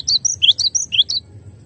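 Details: Masteran tutor song of a gelatik batu, the cinereous tit, clearly recorded: a quick run of sharp high whistled notes, some slurred upward, in a brief phrase before falling quiet.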